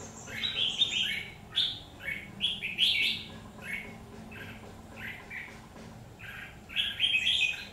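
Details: Trap-bird red-whiskered bulbul in a song contest, 17 October 2019: loud, clear, fluty phrases of three to four notes, each dropping slightly in pitch, delivered in quick succession with short gaps, over a steady low hum.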